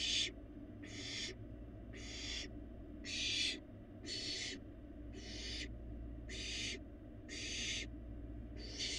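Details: Fledgling barn owl at a Florida nest box cam, feeding in the empty box; a long run of nine harsh hissing bursts, spaced about a second apart, steady in loudness.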